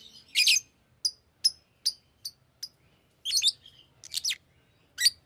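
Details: Fischer's lovebird kept as a pet gives a harsh shrill squawk, a series of short thin high chirps, then more rasping screechy notes and a final sharp chirp.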